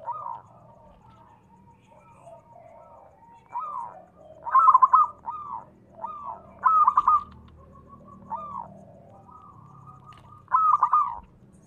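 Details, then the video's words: Zebra dove, a local perkutut used to draw other doves into calling: short soft rolled coos build into three loud clipped multi-note bursts, separated by quiet purring trill runs. "perkutut lokal gacor SUARA TEMBUS 100%pancingan perkutut cepat Nyaut"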